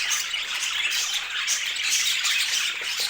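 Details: Brightly colored pet budgies produce loud, constant overlapping chirps and squawks, a dense high chatter with scattered short whistled notes.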